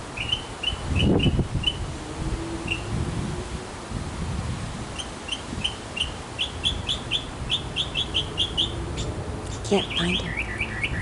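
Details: A backyard male mockingbird sings for a female: evenly spaced chirps that speed into a rapid chattering series, then jumbled squeaky notes, with a thump early on.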